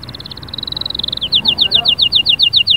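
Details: Canary singing to stimulate a silent bird: a smooth rapid high trill, then a crisper series of short falling notes repeated about five per second.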